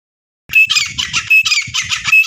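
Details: Female grey francolin (teetar) calling as a hunting lure: harsh, squawky notes in a rapid, dense series with brief gaps, loud and slightly distorted, with a thin steady whistle-like tone running through parts of it.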